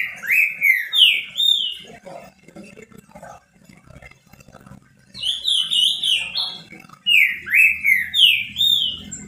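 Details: Green-winged saltator singing a lot as a pet: repeated phrases of loud slurred whistles, five or six notes in quick succession, three bouts with quieter gaps and faint background chatter between.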